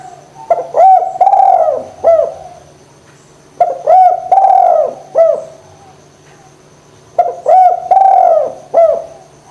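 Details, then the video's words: Spotted dove cooing steadily, used to stimulate lazy doves to call: repeated phrases of short clipped notes followed by a long mellow coo and a final note, the phrase recurring about every three and a half seconds, faint background hum. "DERKUKU GACOR PANCINGAN JITU ATASI DERKUKU MALES BUNYI"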